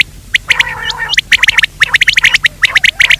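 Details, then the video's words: Quail call for daytime luring: sharp high chirps in quick irregular runs, with a brief lower, drawn-out rasping note early on. "Batir ki awaz Quail sound for day part 2( دن کے بھلانے کے لئے)"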